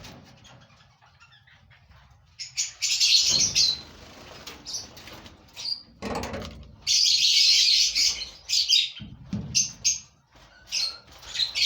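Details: Among a five-pair lovebird breeding colony, soft rustling and wing-flutter thumps mix with sudden bursts of high, shrill twittering calls, several in quick series.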